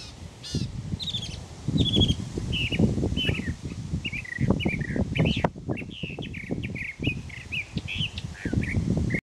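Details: Mockingbird singing at morning, said to sing endlessly every day until it finds a mate: a run of varied short chirps and slurred whistled phrases, several repeated in quick series, over heavy low rumbling noise.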